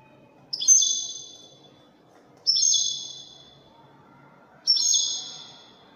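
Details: European goldfinch singing in the Widani style, Algeria: three short bright phrases, each opening with a sharp high note then a buzzy trill sliding down, spaced about two seconds apart, with quiet pauses between.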